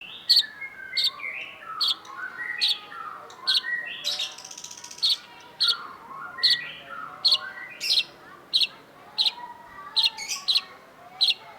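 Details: Long-tailed shrike (cendet), a master recording for training songbirds: loud, sharp chirps repeated about once a second over nearly twelve seconds, with softer warbled and whistled phrases running beneath them.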